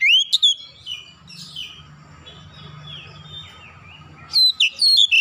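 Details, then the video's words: Oriental magpie-robin calling: a loud whistled phrase sliding up near the start, a quiet pause with faint low hum, then a burst of sharp, rising and falling whistled notes at the end. "KICAUAN KACER MEMANGGIL"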